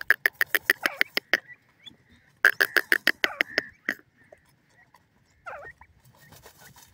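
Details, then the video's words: Grey francolin, locally called teetar, a female with her chicks in the forest: two rapid bursts of loud, harsh, evenly spaced clicking notes, about ten in each burst, separated by a short pause, then quieter scattered notes and faint rustling. "grey francolin makes her children race in the forest,teetar sound in the forest"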